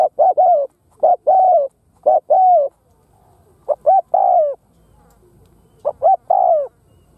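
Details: Spotted dove used as a lure bird to attract wild doves, cooing loudly: five phrases of two or three short notes followed by a longer descending coo, repeated roughly every second or two, in a quiet background.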